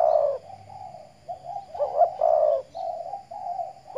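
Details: Decoy spotted dove from Riau Islands, Indonesia, put out in the morning sun; a loud opening coo, then a chain of softer burry notes rising into a stronger double coo before fading.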